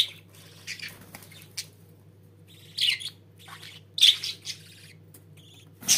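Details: Budgerigars indoors making sparse, soft scratchy notes broken by a few louder sharp squawks, with quiet gaps between and a constant low hum.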